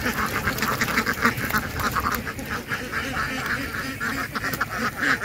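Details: Ducks quacking, harsh nasal quacks overlapping in a dense, steady chorus of several calls a second, as if from a group, over constant background noise.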